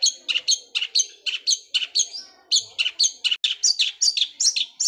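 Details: Long-tailed shrike delivering the sewing-machine-like roll speed fighter song of the gereja Kunti style: a brisk chain of two-toned high chirps, about four per second, with one brief gap midway.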